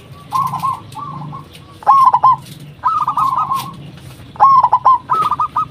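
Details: Zebra dove used as a calling lure for other doves: repeated trilled coo phrases, some with stuttering starts, follow each other closely, possibly from more than one bird.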